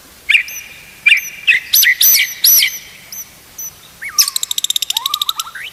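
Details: White-rumped shama song used as training material for other shamas: sharp high whistled notes with ringing overtones, then a rapid buzzy trill of evenly spaced pulses with lower rising slurs beneath.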